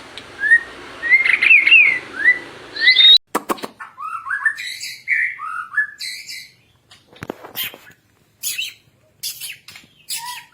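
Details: Captive white-rumped shama song used to train other caged shamas: clear slurred whistles and quick up-sweeping notes, then scattered sharp clicks and short buzzy notes separated by pauses.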